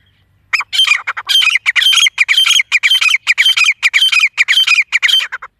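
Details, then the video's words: Wild grey francolin calling, a sound used as a hunting lure: after half a second of silence, a loud unbroken run of harsh, rasping notes repeats rapidly and steadily, almost two each second, with no other sounds. "Shkar wali Awaz #Dasi gory jangle tetra ke Awaz #Dasi tetar ke voice"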